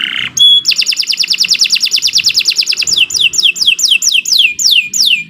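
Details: Canary singing a lure song meant for training other birds: a fast metallic trill of evenly repeated notes, then a series of downward-sweeping whistled notes repeated about twice a second.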